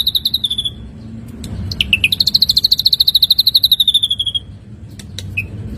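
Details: Ashy drongo, a training recording for songbirds: short falling notes, then a long rapid trill that rises slightly and slowly drops in pitch, followed by scattered clicks and a single chip.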